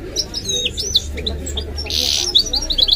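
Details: Pet goldfinch × canary hybrid: a few sliding, high chirps, a brief hiss-like burst, then a quick run of tinkling repeated notes, with low background rumble.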